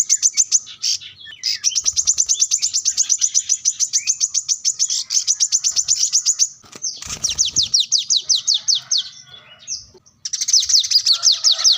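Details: Plain-throated sunbird singing to attract a rival, used as lure and tutor song: long runs of rapid, sharp, high ticks that later turn into downslurred notes, with a brief low rustle in the middle.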